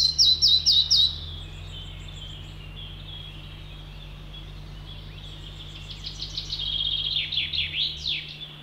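Red-breasted flycatcher song: a burst of sharp, high ticking notes, then a falling series of sweet, repeated phrases that descend in pitch. A low steady hum runs underneath.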